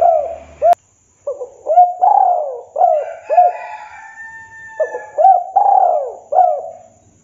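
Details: Champion master-recording song of a frequently singing spotted dove (2022), meant for training doves: repeated hooked coos and a long drawn coo, interrupted by a sharp click, with a steady whistle-like tone briefly overlapping mid-phrase.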